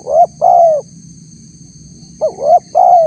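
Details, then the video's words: Lure recording of a spotted dove meant to provoke wild doves: two complete phrases, each a short rising note and then a long mellow descending coo, with a steady thin high tone behind. "suara tekukur PALING DI CARI untuk memancing respon tekukur liar"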